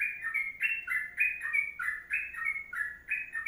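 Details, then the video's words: Rapid chirpy phrases from a sooty-headed bulbul in full long song, a 'kongslet panjang' style. The clear, slightly buzzy notes rise and dip in an unbroken chain, about three a second. "Masteran Trucuk Kongslet Panjang"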